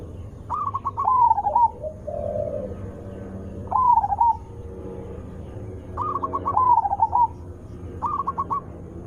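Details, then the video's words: Zebra dove lure song with a big, sweet voice for provoking other zebra doves to respond: four phrases of rapid staccato notes sliding into a quavering, slightly falling coo, with a faint lower coo between. "langsung Nyaut Panik dengar Suara Besar Merdu ampuh untuk pancingan burung perkutut"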